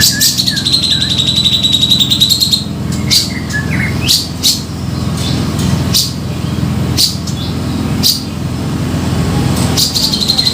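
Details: Grey-cheeked bulbul lure call used for trapping birds: a long, rapid buzzy rattle at high pitch for about two and a half seconds, then a series of sharp, separate chips, over a steady low rumbling hum.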